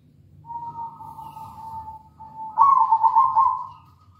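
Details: Lure recording of a local zebra dove meant to set other doves singing: a long, steady whistled note that breaks into a louder, rolling, warbled coo phrase.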